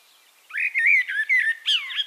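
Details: A Eurasian blackbird sings in Castricum, the Netherlands, a short rich phrase of four or five mellow, slurred fluty notes ending in a higher wavering note.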